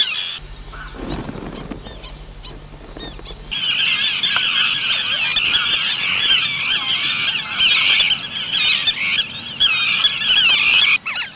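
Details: Indian river tern, Sterna aurantia: after a brief low humming opening, a dense chorus of harsh, squealing, high-pitched calls from many birds, overlapping continuously and rising and falling in loudness.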